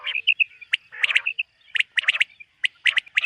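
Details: Common quail (batair) calling on a summer meadow in the morning, 2023: quick clipped triple notes in tight bursts, with softer tonal chirps between the groups and no other clear sounds.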